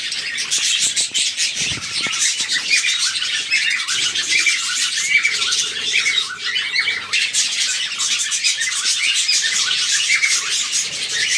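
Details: A colony of budgerigars chatters at once, a dense wash of high warbles, chirps and squawks.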